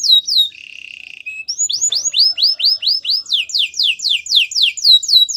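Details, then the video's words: White canary: a couple of sweeping whistles, a brief buzzy roll, then a long, lively sequence of repeated swooping whistled notes. "Canary singing birds sounds at its best | White canary singing"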